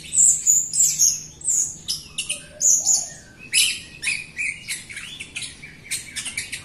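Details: Jalak Rio myna singing hard to encourage silent Rio birds; a rapid series of piercing whistled notes and chirps, steady and repeated, later shifting into scratchier, buzzier phrases.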